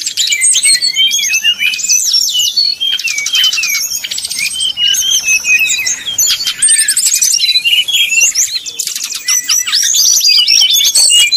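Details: Brown-chested Jungle Flycatcher in flute-like nyuling style, used to provoke rival birds into heated singing. A continuous, dense stream of high whistles, quick upward and downward slurs and buzzy trills, with barely any pause.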